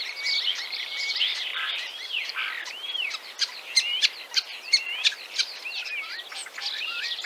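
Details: Common Starling song from Central Russia: slurred looping whistles, some rising and falling, mixed with dry clicks and rattling ticks. Sharp clicks grow more prominent toward the middle.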